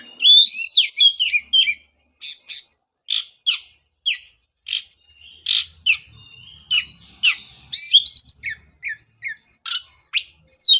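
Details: Oriental magpie-robin song played to coax a bird that stopped singing after moulting: a rich, varied stream of sharp whistles, slurred upslurs and scratchy notes in quick irregular bursts.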